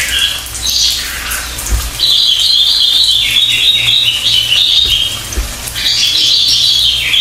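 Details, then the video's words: Pied fantail singing, with high whistled phrases that wander up and down, a short squeaky opening, then a long wavering stretch and a final rising phrase. A constant low background hum runs throughout. "KICAUAN BURUNG CILILIN"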